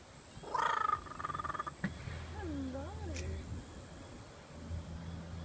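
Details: Curious kookaburra clearing his throat: a harsh, rattling burst of rapid pulses lasting about a second, followed by softer wavering throaty sounds, over a steady background hiss and low hum.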